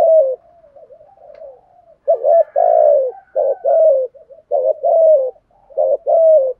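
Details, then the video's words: Spotted dove giving the thúc gù cooing style, used to lure wild doves: a soft, low murmuring coo at first, then loud, mellow, slightly falling coos in short clustered bursts separated by brief pauses, in a quiet setting. "Tiếng chim cu gáy thúc gù bài vở nhất hiện nay, chim cu gáy dùng kích bổi rất hiệu quả"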